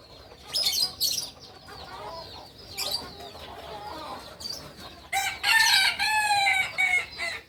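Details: Crowing of a kukuak balenggek cock from Solok, West Sumatra. Faint chirps and scattered rustling lead into a loud, rich, multi-step crow over the final two seconds, with a pitch that drops and wavers between segments.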